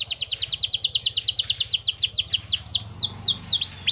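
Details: Canary singing gacor-style as a lure for an unwilling singer: a quick run of high repeated notes that gradually slows into widely spaced, sweeping whistles, over faint low background hum.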